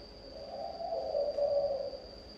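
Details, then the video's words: Single drawn-out coo phrase from a spotted dove singing thổ âm style, low and mellow, swelling then fading, with a steady high whine in the background. "Chim gáy thổ âm"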